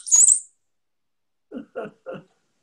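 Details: A male Brown-headed Cowbird gives a brief, very high, liquid squeal like a pebble dropping into water, followed by a man's voice talking.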